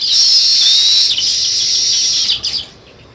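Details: Sparrows giving a continuous, shrill chorus of overlapping high chirps and thin whistled notes, which stops abruptly after about two and a half seconds, leaving near silence.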